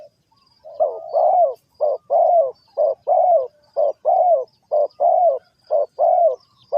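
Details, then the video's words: Spotted dove from Ninh Thuận, Vietnam, recorded where birds are trapped. Loud, low, hollow coos repeat steadily, a short note then a longer slurred note, about once a second. Faint high chirps of other birds are in the background. "The Sound Of A Spotted Dove"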